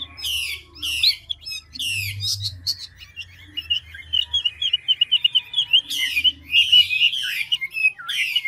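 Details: Large, old wild-caught ngũ trường hwamei in fast voice-switching song. Loud, harsh rasping bursts alternate with a long passage of rapid twittering, varied whistled notes, then more harsh bursts and a falling slur. A steady low hum sits in the background.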